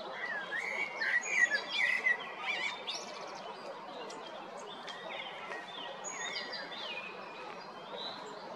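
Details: Spring 2022 recording of a male common blackbird at Jarun or Prečko, Zagreb, Croatia: a run of fluting whistled notes in the first seconds, then quieter high twittering and other distant birds.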